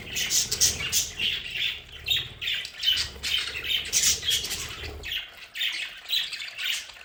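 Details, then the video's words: Domestic budgies in their play area at home call continuously with harsh squawks and bright chirps, several birds overlapping, plus some low background thuds. "Sonidos de budgies para Budgies en casa"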